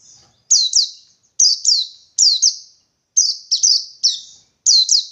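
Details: Wild white-eye singing the 'ngalas 123' style of 123 beats, seeking a rival: bright, high whistled notes in rapid bursts of two or three slurred, falling notes, broken by short pauses, with no other sounds.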